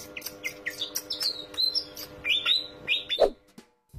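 A Pied Fantail sings a quick, jumbled run of high, squeaky chirps and slurred rising-and-falling whistles. A faint, steady hum runs underneath.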